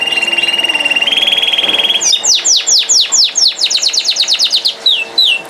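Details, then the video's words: Singing canary: a sustained rolling high trill that steps up in pitch, then long quick series of descending whistled notes ending in a few rising slurs. "MR Non Stopable Canari Singing | Kanari Sounds | Kanari Voice | Canary Beautiful Voice 2023"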